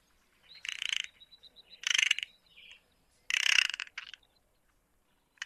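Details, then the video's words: Several short, scratchy, buzzing bursts from a spotted nutcracker, mixed with soft high ticking notes between them. The background is quiet. "Кедровка. Ореховка. Голоса птиц"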